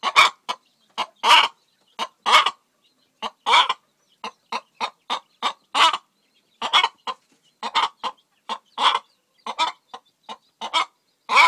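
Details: Faverolles cross hen calling around laying an egg: loud, harsh clucks in irregular bursts, several short notes followed by stronger drawn cackles, repeated over about eleven seconds with brief gaps between.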